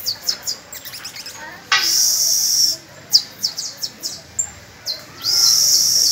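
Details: Young birds practising with an adult canary on May 1: rapid high chips, a long buzzy high roll, more clipped notes at an uneven pace, then another sustained trill.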